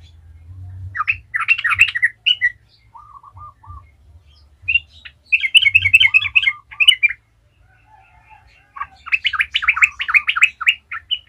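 A yellow-vented bulbul sings three bursts of bubbly, chattering phrases, each about two seconds long. Softer, lower whistled notes fall in the gaps between bursts.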